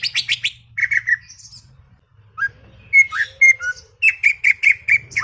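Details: Chattering greater green leafbird mixing quick buzzy chirps, short pure whistles and a closing run of rapid, evenly spaced bright notes.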